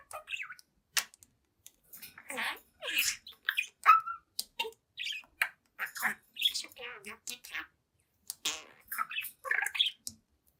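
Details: Pet budgerigar of seven months singing and chatting before a mirror: bursts of quick warbled chirps and harsh squawky notes separated by short silences, a few sharp clicks between.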